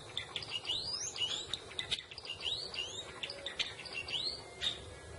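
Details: Java sparrow (glatik jawa), a rice-eating bird native to Java, singing a quick run of high chirps, upward-sweeping whistled notes and dry clicks, breaking briefly near the middle before resuming, over a low background hum.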